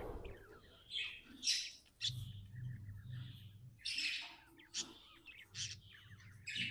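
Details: Happy budgerigar kept as a pet, giving scattered short chirps and sharp squeaks at irregular intervals, with a soft low hum running underneath.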